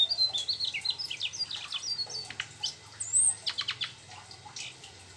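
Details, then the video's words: High, rapid twittering song of a Mugimaki flycatcher delivering mimicked trucuk phrases: slurred whistles, then a thin squeaky note and a burst of sharp clicks near the end. "Sikatan mugi maki gacor ngerol bongkar isian trucuk"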